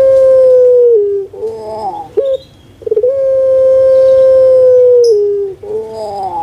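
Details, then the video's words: Kept puter pelung collared dove from Java sings long, even hoots that sag at their close, separated by warbling gurgles and brief clipped notes, the drawn tone returning twice. "PUTER PELUNG SUARA MERDU STABIL"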